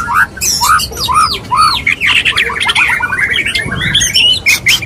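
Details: A male white-rumped shama courts a female with dense, excited phrases. Looping warbled whistles repeat, then give way to fast scratchy chatter and bright upslurred notes, with hard clicks throughout.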